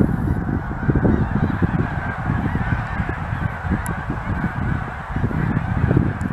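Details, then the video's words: A huge flock of geese stopping by on their yearly visit, many birds honking at once in a dense, continuous low chorus of overlapping honks. "Huge flock of geese"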